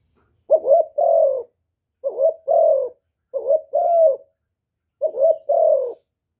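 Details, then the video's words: Decoy cooing of a spotted dove meant to attract wild doves: four paired phrases, a short stuttering coo then a longer husky one, repeated about once a second against silence. "TIẾNG CHIM CU GÁY 1 HẬU RÒNG BỔI CỰC GHÉT, CU GÁY KÍCH BỔI CỰC CHẤT, TIẾNG TIẾNG CHIM MỒI"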